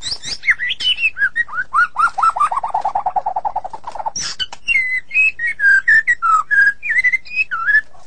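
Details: White-rumped shama, described as a sulking bird, singing a varied whistled song: high sliding notes, then a fast run of lower rattling notes, then clear whistled phrases that drop and rise, with sharp clicks in between.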